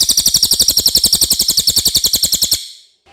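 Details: Common iora singing clearly, offered for tutoring white-rumped shamas: a steady, very high, buzzy pulsed trill repeated about four times a second for two and a half seconds, then fading into silence.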